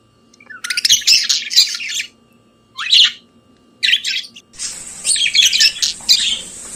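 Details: Pet budgerigar singing in the morning, a chattering warble delivered in separate bursts of scratchy, squeaky notes with short silent gaps between them, the last burst longer and set over a steady high hiss.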